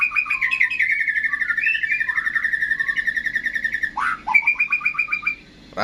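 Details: Contest-ready caged white-rumped shama, Indonesia: a fast, sustained chattering trill of clipped whistled notes, broken by a sharp burst and a brief higher twitter.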